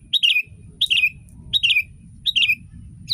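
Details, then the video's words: ['Sooty-headed bulbul singing a tutor song for training other bulbuls. Four evenly spaced, liquid whistled phrases rise and then drop, repeating roughly every 0.7 seconds against a faint low hum.'] "Masteran kutilang!!!kutilang paling dicari untuk membuat burung kutilang anda langsung ikut berbunyi"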